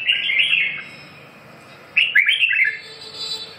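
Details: Red-whiskered bulbul giving two bright, fluid warbled phrases of quick slurred notes, separated by a pause of about a second, with faint background hum.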